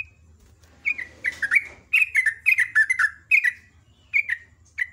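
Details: Sooty-headed bulbul (trucuk) pouring out its vigorous morning song in ropel ngecruk style, a dense chatter of roughly a dozen bright, falling notes followed by a few spaced single chirps. Light low hum behind.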